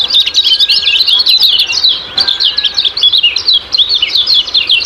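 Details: Bright, hurried chirps of kecial kuning, ciak-ciak type, pouring out in energetic rising and falling phrases with a short dip near the middle.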